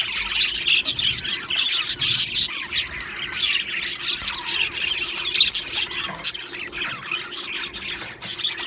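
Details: Australian budgies in an aviary colony, described as happy, chattering together: dense overlapping squawks, warbles and chirps, steady and busy throughout with many birds calling at once.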